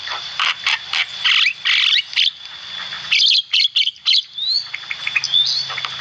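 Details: Javan myna in active song, recorded for training cage birds: strings of harsh rasping bursts and clicks, then a few slurred whistles and squeaks toward the end, over a steady high electronic whine.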